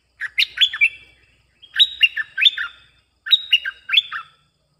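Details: Bulbul song played as a lure for wild birds: three bursts of bright, bubbly, chattering whistled notes, each lasting about a second and repeated about every one and a half seconds against a quiet background.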